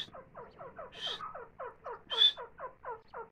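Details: Grey francolin feeding its chicks: a fast run of short, soft, down-slurred clucking notes, about four a second, broken twice by a brief high, thin squeal.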